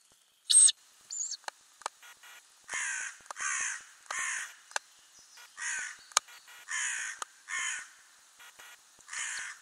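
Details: Growing Ural owl owlets in their nest box in May 2020 give repeated rasping hisses about every second, with occasional clicks and knocks in the box.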